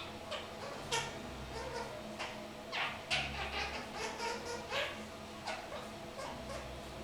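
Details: A 3-month-old kakariki (New Zealand parakeet) sitting in a shower gives short, harsh chattering squawks, about one every half second to second, over a steady low hum.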